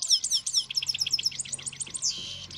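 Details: European goldfinch song from trained birds during pairing: a fast, high, tinkling run of sharp whistled notes repeated several times a second, then a brief buzzy rasp, over a steady low hum.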